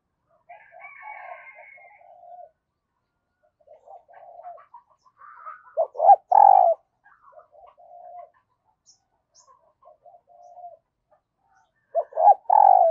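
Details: Spotted dove used as a decoy, calling in early morning to bring wild doves; soft murmured phrases separated by pauses, punctuated twice by bursts of loud deep coos.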